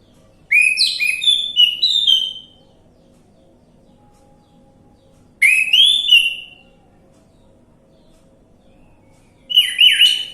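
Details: Orange-headed thrush lure song to trigger a silent bird: three rich warbling whistled phrases, each about two seconds long and separated by roughly three-second pauses, over a faint low hum.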